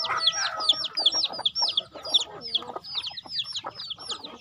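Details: Chickens being fed on a home farm, clear sharp high peeps sliding downward, roughly two or three per second, over scattered lower clucks and brief tonal notes.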